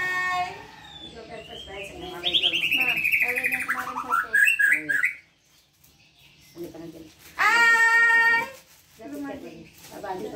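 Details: White-rumped shama in 'pastol' song style, offered as tutor material for young birds: a bright whistled phrase falling in pitch, broken rising notes, a pause, then one loud harmonic burst and softer chatter.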